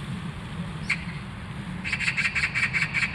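A magpie gives a harsh, rapid chattering series of about eight rasping notes, preceded by a single note, over a low background rumble.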